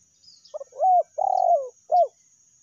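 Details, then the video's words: Lure recording of a spotted dove (tekukur) in the meratus and melambung styles. Soft lead-in notes, two clear coos, a longer descending drawn-out coo, and a final short coo. Little background sound. "PANCINGAN TEKUKUR SUARA MERATUS DAN SUARA MELAMBUNG"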